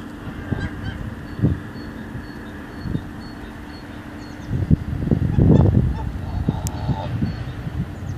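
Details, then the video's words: Geese heard on a Wednesday morning, giving scattered honks that swell into a dense, overlapping burst of calls in the middle before thinning again, over a steady low rumble of background noise. "geese on a wednesday morning"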